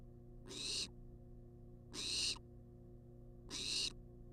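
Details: Food-demanding wild barn owl in a monitored nest box: three loud hissing screeches of about half a second each, roughly every 1.5 seconds, over a faint continuous hum.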